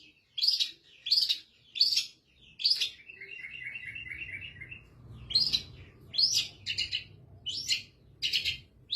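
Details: Long-tailed shrike, a training recording of a caged bird singing with its cover opened: harsh, sharp notes about once a second, broken midway by a quick, even trill of small chirps, then more harsh notes.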